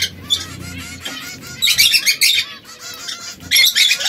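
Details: Harsh, broadband squawking bursts mixed with thin, repeated chirps from three canaries (red, yellow and brown) that occasionally quarrel with one another; loud scratchy outbursts come in clusters, with quieter tweets between them.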